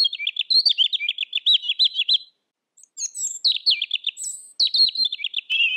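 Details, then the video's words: Red-billed leiothrix sings fast, high, bubbling warbled phrases of quick rising and falling notes, in bursts of about two seconds with brief pauses. "Suara Kicau Burung Robin"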